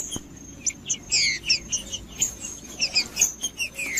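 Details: Green-winged saltator song played to warm up a cold bird: short bright chirped notes in quick irregular bursts, ending in a descending whistle, over a faint continuous high tone.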